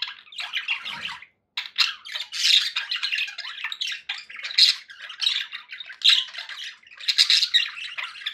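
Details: Pet budgerigars chatter almost nonstop, mixing raspy squawks and quick chirping warbles, pausing briefly near the start.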